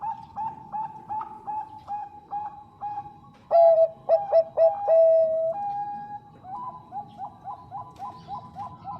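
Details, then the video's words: Bangkok-strain zebra dove, a female calling the male, singing actively: soft repeated coos about four per second, then a loud burst of clipped staccato notes ending in a long level coo, followed by quieter cooing from other doves. "PERKUTUT BANGKOK GACOR SUARA JERNIH MENGUNDANG BUNYI"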